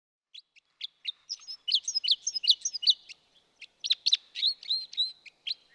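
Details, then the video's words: Red crossbill calling: a rapid series of sharp, high chirping notes, repeated in quick bursts with short pauses between groups, loud and clear against a quiet background. "Vogelstimmen: Der Fichtenkreuzschnabel - Crossbill - Loxia curvirostra"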